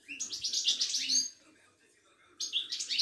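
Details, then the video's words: Moroccan European goldfinch, a caged song bird from a Casablanca bird market, singing a fast bright twittering phrase of high buzzy and tinkling notes for about a second, a pause, then another rapid twittering burst. "طائر المقنين الزين او الحسون الويداني"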